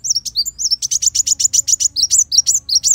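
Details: Sunbird song recorded as a tutor for songbirds: a steady, fast string of high, bright, slurred chirps, roughly five per second, continuing without a break throughout.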